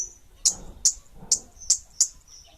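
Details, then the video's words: Kemade Bunga Api bird giving five sharp, very high chirps spaced about half a second apart, with a thin high whistle between them over a quiet background. "Suara Burung Kemade Bunga Api"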